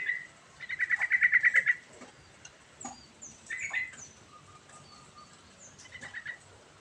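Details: Yellow-vented bulbul in full ngerol rolling song. A loud, fast pulsed trill lasts about a second, followed by softer chirps, a few high thin notes and a brief rolling phrase near the end.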